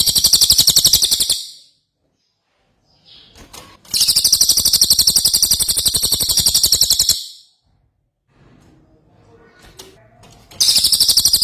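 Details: Ashy tailorbird in full song: long, shrill, rapid trills of even pulses, one running over three seconds, separated by silent gaps with soft clicks and rustles.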